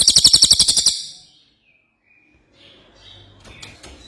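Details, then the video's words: An ashy tailorbird sings vigorously, giving a quick string of about a dozen sharp high notes that fades out, followed by quiet with faint chirps. "Cililin Gacor"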